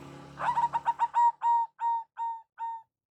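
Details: Local zebra dove giving a lure call: a rapid stutter of coos that slows into four long, level notes, with a low hum at the start.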